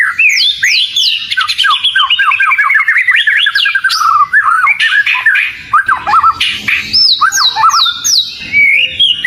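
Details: Vigorous oriental magpie-robin lure song. A fast descending series of repeated chirped whistles gives way to squeaky, scratchy notes and sharp high slurred whistles.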